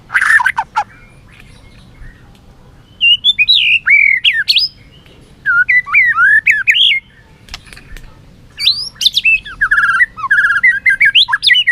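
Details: White-rumped shama in competitive singing with tail flicking: bursts of varied looping whistles and quick twitters, separated by silent gaps of a second or more, with sharp clicks at the start.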